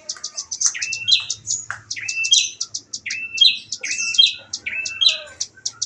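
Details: Juvenile velvet-fronted nuthatch performing a rapid 'nembak' song: a dense stream of crisp, high ticking notes punctuated by short downslurred twangs, with faint low rumbling and soft music in the background.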